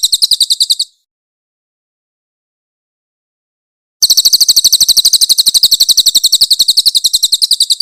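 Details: Cililin, the Grey-headed canary-flycatcher, a very loud cage songbird, giving harsh 'tembakan kasar' song for a training master. A shrill rapid series ends, three seconds of silence follow, then another fast burst of piercing high notes starts.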